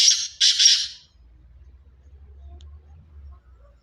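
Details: Pure Sindhi black francolin giving two loud, rasping, broadband notes back to back within the first second, then falling silent over a low background hum.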